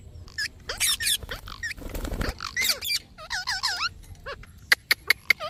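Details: Parrot calling naturally: a mix of quick squeaky whistles, rising and falling warbled notes, a short rasping burst midway, then sharp clicking ticks toward the end.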